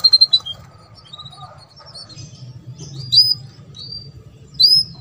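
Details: Canary mating song meant to stimulate other canaries: a few quick high chips, soft twittering, then sparse bright upslurred whistles, with a steady low hum underneath.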